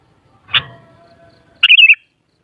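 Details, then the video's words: Sooty-headed bulbul, played to stir up other bulbuls so they sing and answer. A sharp broad click comes first, then a short, quick, warbled phrase of bubbly wavering notes in one brief burst. No other clear sounds. "Suara Burung Kutilang Paling Ampuh Untuk Menaikan Emosip Jadikan Kutilang Gacor Nyaut"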